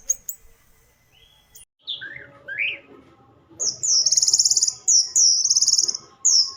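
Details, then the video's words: Orange-headed thrush song: a few varied whistles, then very high rapid rattling trills repeated in short bursts, with a steady faint tone behind. "Kumpulan kicau anis merah"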